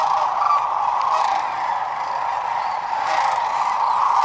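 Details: At Whitewater Draw on February 19, 2021, around 12,000 sandhill cranes fill the air with a thick chorus of rolling, guttural trumpeting, individual calls lost in the constant blended roar.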